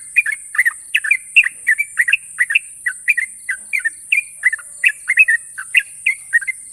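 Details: Extended ropel from a national champion sooty-headed bulbul: a long, even chain of sharp chirps and short down-slurred whistles, about three per second, above a persistent high hiss.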